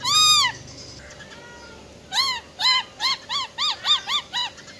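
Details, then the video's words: Female silver-eared laughingthrush, wild-type song meant to fire up males: one long arched harmonic note, a pause with faint whistles, then a rapid series of eight short arched notes. "Tiếng Chim Khướu || Khưới Mái Bạc Má RO RO || Giọng Rừng Hót Chuẩn - Kích Trống Lên Lửa Cực Nhanh"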